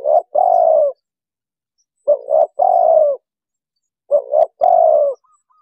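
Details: Spotted dove cooing, played to lure wild birds for trapping: three repeated phrases about two seconds apart, each a short double coo followed by a longer, slightly falling hoarse coo, all low and mellow.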